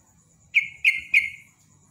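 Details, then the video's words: Yellow-vented bulbul (trucukan) giving three loud, slightly descending chirped notes in quick succession, each sliding downward, over a steady faint high whine in the background. "JOGJOG /TRUCUK ROPEL NEMBAK GARUDA"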